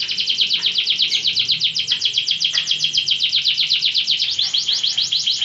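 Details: Fighting canary training song: one sustained rapid trill of rising notes, about four per second, steady and loud for the whole stretch.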